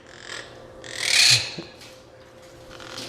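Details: Monk parakeet at Meigs Point Nature Center, Hammonasset Beach State Park, irritated and nervous while stepping onto a finger: harsh, grating burst loudest for about half a second, a man speaking quietly behind.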